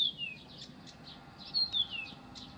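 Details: Brief phrase from a Blyth's reed warbler singing in Pavlodar. Two clean whistled notes slide downward, separated by soft, high, buzzy chirps.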